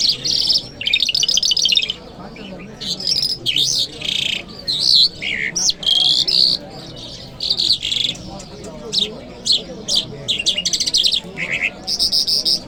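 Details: Lark in Kabul city, recorded on a Friday morning, pours out a lively song of short buzzy bursts and sharp whistled phrases, separated by brief pauses, over faint background voices.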